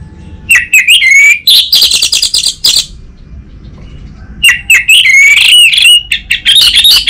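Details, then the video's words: Anis merah, the orange-headed thrush, singing a lure song from Singaraja, Bali, for training an untrained bird to reply. Two long bursts of rich whistles, slurred glides and harsh high chatter are split by a short quiet gap. "Pancingan dan Masteran Burung ANIS MERAH Bahan, SuPaya Nyaut Ngeplong dan Singset"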